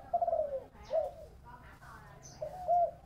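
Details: Spotted dove in the 'thổ bầu' singing voice. A drawn-out, falling low coo is followed by shorter soft coos and then a final level coo. Faint scraping and background sounds are heard between the notes.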